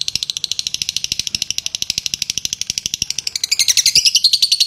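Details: Latah song from a champion lovebird: a quick, buzzy run of closely packed high notes that grows louder and more piercing toward the close, with a faint low clicking underneath.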